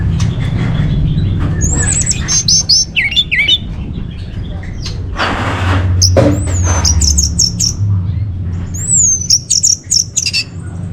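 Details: Song of an orange-headed thrush, played to train and stir caged birds: bursts of rapid, high, twisting whistles, a loud noisy rush midway, then more looping whistled phrases above a low droning background.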